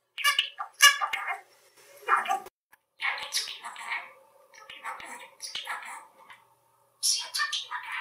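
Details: Male budgerigar kept as a pet, talking to himself and to his owners in Hungarian; rapid chattering, scratchy imitated speech phrases in bursts separated by short pauses, indoors.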